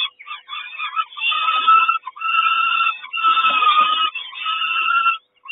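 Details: At the Kawęczyn peregrine falcon nest on 3 June 2022, during the mother's breakfast delivery, long shrill rasping wails follow one another, each about a second or more.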